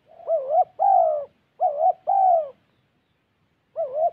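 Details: Spotted dove, a decoy bird from Gia Lai, Vietnam, gives low mellow coos in paired two-part phrases, each falling slightly, with gaps of about a second between groups.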